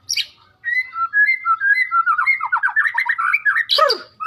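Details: Medan white-rumped shama song opening with clear whistled notes that alternate up and down, building into a fast rolling series of rich slurred phrases, ending in a harsh burst.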